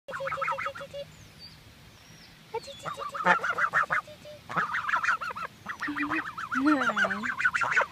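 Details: Several geese talking among themselves in 2014, a busy run of overlapping nasal honks and chattering notes, with bursts of rapid calls broken by short pauses and a lower drawn-out honk near the end.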